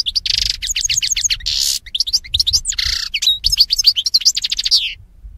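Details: European goldfinch sings a fast, unbroken stream of bright tinkling twitters mixed with harsh buzzy notes, high-pitched and lively throughout, with no other sounds; song used for training birds.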